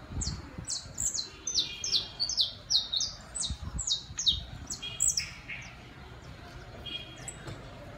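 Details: Saffron finch in an urban setting, a tame pair visiting a terrace, delivering a run of high, rapidly repeated descending chirp notes that fade out midway, with faint low background rumble.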